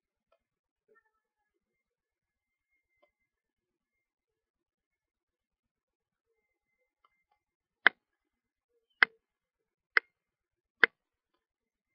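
Near silence broken by four sharp, dry clicks about a second apart, with no animal voice heard.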